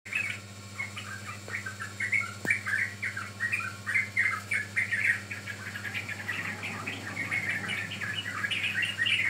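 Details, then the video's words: Young yellow-vented bulbul, a lure recording for training birds: a busy stream of short chirping and twittering notes, quick and uneven, over a steady low electrical hum. "Pancingan Ampuh Burung Trucukan Paud"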